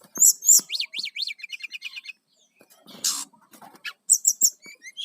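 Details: Brown-chested jungle flycatcher song meant to lure wild birds: rapid series of rising sweeps and high chirps, a brief pause, then a harsh noisy burst and more sharp high notes.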